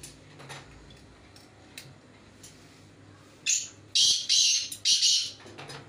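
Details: Black francolin heard in a calling performance check with another francolin: a brief rasping opener, then three drawn-out harsh, scratchy notes in rapid rhythm, ending abruptly, with soft room noise and faint clicks earlier.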